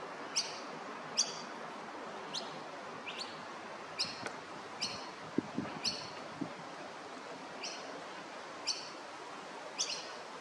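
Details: Young Masked Lapwing (Vanellus miles) chick at Maroochydore, Queensland, the same chick as three weeks earlier, giving about a dozen thin, high peeps, one every second or so, over a steady rustle of wind.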